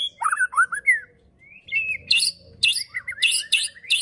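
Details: Caged white-rumped shama, Indonesian murai batu, in a fighting-style song: rich whistled phrases sliding between low and high notes, a rising whistle near the middle, then harsh scratchy bursts repeated in quick succession.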